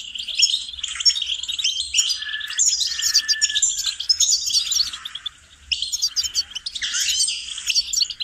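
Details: Training song of a goldfinch: lively twittering and tinkling chirps with a drawn-out, thinner note near two seconds, a brief quiet dip after five seconds, then renewed chattering phrases.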